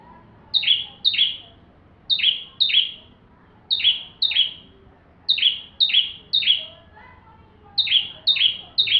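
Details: Bar-winged prinia in lively full song, intended as a master recording for white-rumped shamas: clusters of two or three shrill, downward-swept chirps, the clusters recurring roughly every one and a half seconds throughout.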